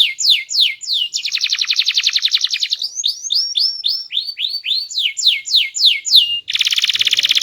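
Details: A canary with a small body and a loud, sweet, varied voice sings descending slurred notes, a dense buzzing trill, and a series of rising and falling whistled phrases, finishing with a harsh rattling roll.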